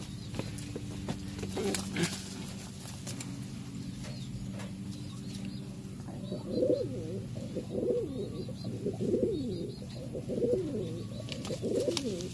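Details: Territorial Cuban Pouter males fighting over a nest: after a stretch of scuffling and clatter, a series of low rolling coos starts midway, each swelling then falling, repeated roughly every second and a quarter.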